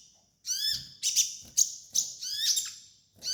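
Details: Sunbird song used to train other birds, here called kolibri ninja: a run of quick, descending harmonic notes mixed with high buzzy chips, delivered in fast succession.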